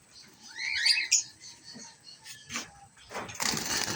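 A cockatiel gives a quick burst of bright, harmonic chirps, then a rushing noise takes over.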